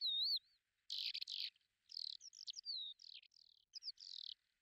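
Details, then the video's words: Lesser short-toed lark in Belchite, Zaragoza, Spain, July 2019: a clear wavering whistle opens, followed by buzzy bursts and quick slurred twitters in a varied high phrase. "Terrera marismeña ( Calandrella rufescens ) Lesser Short-toed Lark"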